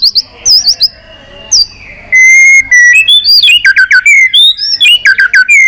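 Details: White-rumped shama stirred up to sing a long-voiced fighting song while flicking its tail: after a quiet start, loud clear whistles, a sustained level note, then rapid varied high whistled phrases and sharp sweeps.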